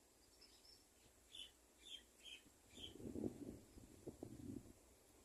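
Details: An Olive-backed Sunbird in a garden, bringing a spider to its nest, gives four thin, high chips about half a second apart, then low rustling and thumping noises near the nest.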